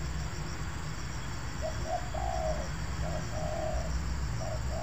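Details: Spotted dove cooing in an oil palm plantation during a bird-luring session: short mid-pitched coo notes followed by a longer drawn-out coo, then further paired notes, over a steady low rumble of background noise.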